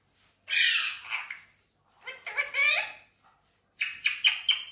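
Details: Indian ringneck parakeet, green pet bird, uttering raspy screeches in three bursts; the middle burst wavers with chattering, talking-like inflections, and the last is a rapid stuttered series.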